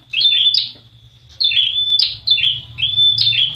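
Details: A prinia (prenjak wulung), recorded as a lure call to make other prinias sing, gives sharp, high chirping phrases of quick rising and falling notes in three or four bursts, with a faint low hum beneath.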